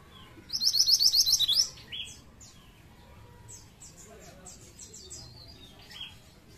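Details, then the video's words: Lure song of a pied triller, meant to attract flocks of its kind: one quick burst of eight or so sharp, high trilled notes, then sparse soft chirps from other birds. "Burung Mantenan Gacor Ampuh pancing mantenan ombyokan"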